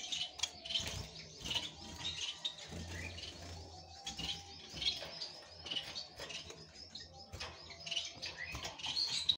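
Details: Crested society finch giving short, high chirps and tweets in quick irregular bursts, with soft clicks, rustling, and a faint low hum underneath.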